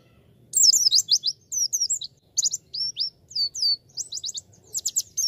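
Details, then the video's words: Lively, high-pitched warbling from a Javan white-eye: a steady stream of quick swooping chirps with tiny breaks, continuing to the end. Quiet low hum behind it. "MASTERAN PLECI PEMULA"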